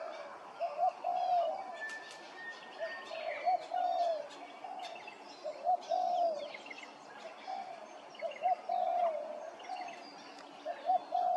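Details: Grey-crowned Babblers at Hervey Bay, Queensland, give mellow, slurred mid-pitched notes in short bursts every couple of seconds, with thin high chirps and twitters from other birds around them.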